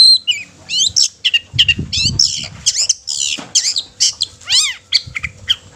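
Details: Provocative long-tailed shrike song used to rouse rival shrikes: harsh scratchy bursts mixed with arched, descending whistled notes and brief gaps, plus a low rumble near the start.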